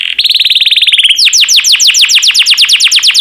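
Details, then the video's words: Yellow canary delivering a rapid rolling trill of short notes, then a run of sharp descending whistled sweeps repeated several times a second. "Burung Kenari Kuning yang Cantik || Suara Merdu & Warna Menawan"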